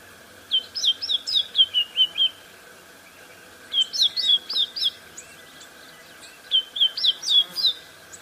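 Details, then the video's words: White-browed scrub robin delivering one variation of its call, a rapid run of about eight sharp, high whistled notes repeated three times at roughly three-second intervals, over a low background hum. "7 White browed Scrub Robin calls"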